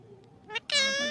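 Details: Talking parrot giving a short rising note, then a longer, strong, level harmonic cry lasting about half a second.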